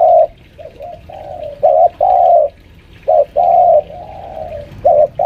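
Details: Captive spotted dove lure bird of about five years, at home, pressing a rival: repeated low hollow coo phrases, each a short note followed by a longer drawn-out one, interspersed with fainter softer coos.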